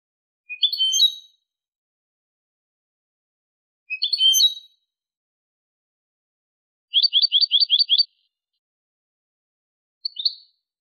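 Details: European goldfinch song, a clean recording: short twittering bursts of bright notes repeated about every three seconds, then a quick run of seven rapid identical chirps and one final short note, with silence between phrases.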